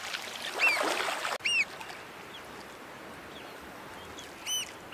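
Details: Pied oystercatcher parent at a beach nesting site, chasing eastern curlews off their roost spot while guarding chicks fifteen days old; a few loud, shrill, piping notes, short and slightly downslurred, spaced seconds apart, with a burst of wind rumble early on.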